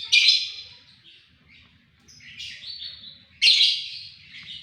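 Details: White-rumped shama singing persistently with a sharp voice, loud buzzy descending bursts separated by softer varied warbled notes.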